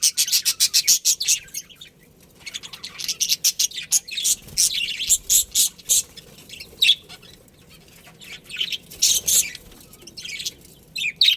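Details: Budgerigars of a breeding pair in a colony give long strings of rapid, harsh, high chirps, about three to four a second, in bursts separated by brief lulls.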